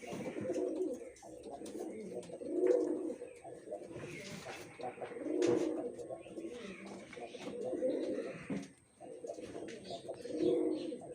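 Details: Pigeons cooing in a small room, deep rolling coos rising and falling in bouts roughly every two to three seconds, with faint rustling and voice-like noise in the background.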